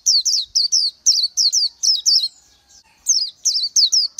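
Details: High, sweet twittering from an Oriental white-eye: quick wavering whistled notes in short bursts, a brief gap near the middle, then the run resumes.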